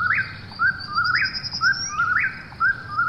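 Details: Three whistled, upslurred phrases from an Eastern whip-poor-will at night, one per second, each a brief low lead-in rising to a sharp peak, with a thin high trill faintly behind.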